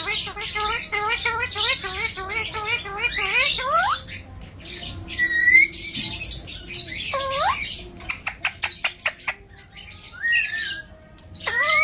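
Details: Alexandrine parakeet kept as a pet, talking like a human: a fast chain of chattering harmonic notes rising into a screech, then hoarse word-like sounds, a burst of sharp clicks and late squawks.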